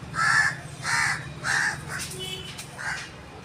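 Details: Agitated crow calling persistently, possibly near its nest: four harsh, hoarse caws about half a second apart, each a short burst, over a steady low hum.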